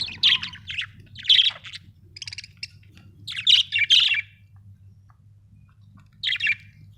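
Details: Budgerigar, an Australian bird, giving loud harsh chirps in short clusters with scratchy chatter between them and quiet gaps, over a faint low hum.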